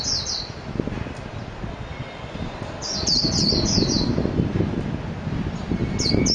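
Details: Japanese white-eye (mejiro) giving short bursts of high, thin twittering notes, a brief pair at the start and a longer rapid run midway, over steady low wind-like background noise.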